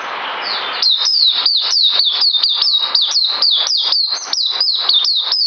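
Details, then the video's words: Song of a white-eye recorded 9 December 2018: after a second of soft hiss, rapid high hooked notes begin, each climbing then sliding down, repeated about three to four times a second. "Puteh Mousey Dragon Saber"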